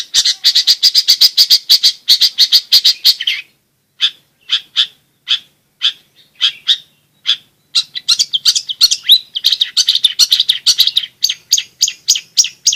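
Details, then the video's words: Energetic long-tailed shrike singing, intended to provoke lazy shrikes to sing and to tutor young birds: dense, rapid chattering notes, a brief pause broken by spaced chips, then another fast, scratchy chattering burst. "BURUNG CENDET/PENTET GACOR"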